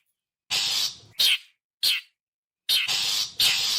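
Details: Characteristic call of the long-tailed shrike, played as a lure for wild birds: long scratchy rasps alternating with short harsh chacks, five bursts in under four seconds.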